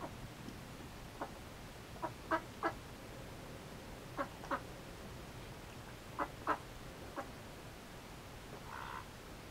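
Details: Tame male mallard being trained to perch on the hand, giving short, rasping nasal notes, often in quick pairs, spaced a second or two apart over a faint steady hiss.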